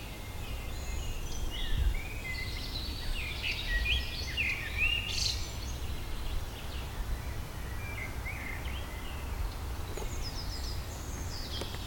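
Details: Red-backed shrike call: a loose run of scratchy chirps and short high whistles, irregularly spaced, over a steady low rumble of wind or distant noise.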